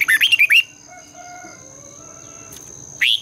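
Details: Red-whiskered bulbul singing in the morning, used to stimulate other birds to sing: a quick burst of five or six loud warbled notes, then a pause and a brief final phrase, over a steady high electronic whine.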